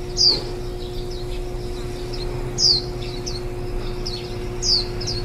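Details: Warbling white-eye feeding nestlings, recorded on 23 July 2018, the day before the young left the nest. Sharp, high, falling chirps sound about every two seconds, with softer notes between them and a faint steady hum.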